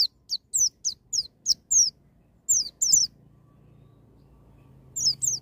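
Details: White-eye in "ngalas nembak" wild-style song, meant to trigger a young bird into singing: a string of about nine high, slurred downward whistles, a pause with faint low background hum, then two more notes.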